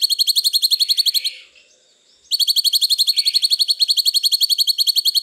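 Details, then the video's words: Cucak cungkok song used as training audio for cage birds: long runs of sharp, high, evenly spaced notes at about ten per second, broken by a one-second pause, with no other sounds. "masteran cucak cungkok terbaru panjang panjang"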